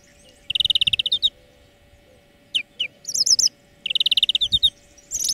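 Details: Song lesson of a greenfinch: two bouts of fast, even, rattling trills, with sharp falling chips and a wavering high phrase between them, ending on a high twitter; a low steady hum runs throughout.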